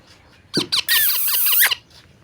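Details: Pet parrot letting out a single drawn-out, piercing harsh screech lasting about a second, preceded by two short sharp notes.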